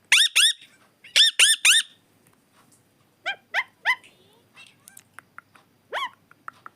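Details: Pet parrot talking nonstop, producing rapid bursts of harsh, harmonic-rich squawked syllables in groups of two and three, followed by softer clicks and short squeaks, indoors with little background noise.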